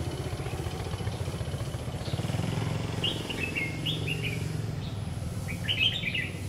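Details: Red-whiskered bulbul during lure-bird trapping on a stormy afternoon, 9 September 2019: two bursts of quick warbled, chirping phrases partly masked by a running motorcycle engine and a constant high whine.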